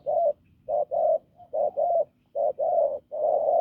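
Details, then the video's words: Low, gravelly coos from a wild-caught spotted dove prized for its hoarse, strong voice, mostly as short-long pairs repeated about once a second. "Bổi đồng khàn cứng gù"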